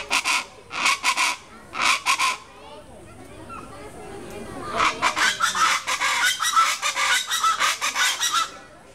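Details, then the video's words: Chachalacas at the zoo in Tuxtla Gutiérrez, Chiapas, Mexico, on Good Friday, 2 April 2010, give harsh, raucous, grating calls in rapid repeated bursts: a short run, then a pause and a longer, denser chorus. "Cállate Chachalaca!"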